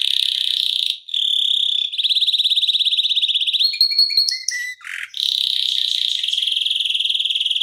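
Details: Energetic canary singing a long ngeroll rolling song at tight speed, used as a tutor and stimulus for other canaries: buzzy sustained rolls, a short break into metallic clipped notes, then another long continuous trill.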